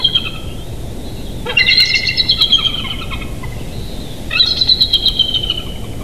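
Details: Bald eagle at a Big Bear Valley nest, nature cam, 8 July 2023, 07:57; two separate runs of thin, high, rapidly repeated piping notes, a few seconds apart, with low rumbling background.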